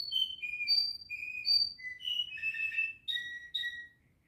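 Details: Canary kept as a house pet singing bright whistled notes descending in steps, ending in a rolled trill and two brief whistles before falling quiet.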